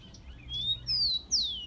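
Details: Rufous-collared sparrow (tico-tico) song used as a warm-up to stimulate captive birds: three clear, high whistled notes, each sliding downward, the last one strongest.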